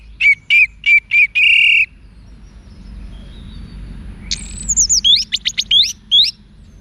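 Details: Orange-headed thrush singing a run of repeated whistled notes ending in a longer held tone. After a quiet gap comes a high, descending slurred phrase and rapid, thin, chirping notes.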